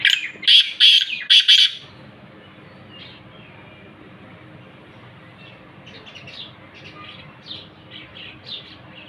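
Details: Black francolin giving its call: three loud, rasping, grating bursts packed into the opening two seconds, then quiet, followed by faint, distant scratchy notes repeated irregularly through the rest.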